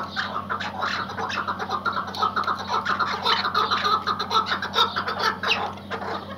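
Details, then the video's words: Tethered Iraqi white hunting partridge producing a lively, continuous series of clucking and chattering notes, with several overlapping in quick rhythm. "IRAK BEYAZ AV KEKLİĞİ - partridge - MUHTEŞEM KEKLİK HENGAMESİ"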